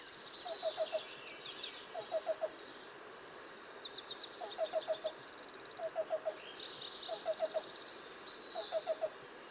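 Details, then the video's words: Black-billed cuckoo recorded with a parabola on 9 July 2025 at Highwood Creek, Montana, singing from cottonwood gallery forest beside the creek: soft, hollow, resonant knocking cu-cu-cu groups of three or four notes about every 1.5 seconds, over chattering birds and insects. "The cuckoo keeps singing."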